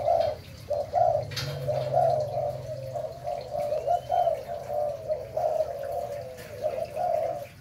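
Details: Breeding Malay-type spotted dove cooing: a series of soft, mellow, low coo notes in short phrases, repeated steadily through the recording over a low background hum.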